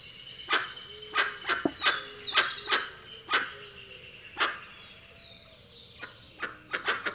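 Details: Scattered, irregular honks from a dusky-legged guan with pauses between them, a sliding high whistle from another bird, and a faint background hum.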